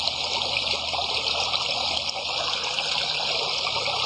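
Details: Loud steady hiss, like rushing water or broadband noise, fills the whole recording with no distinct calls.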